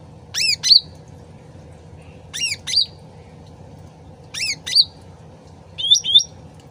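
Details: Sooty-headed bulbul repeating a harsh chattering couplet every two seconds, three times, then ending with a pair of rising whistled notes, over soft trickling water.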